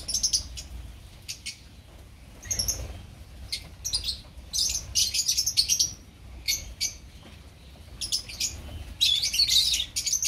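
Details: A colony of opaline lovebirds chattering in uneven bursts: sharp, high, squeaky chirps that come in clusters with short lulls, ending in a busy overlapping flurry.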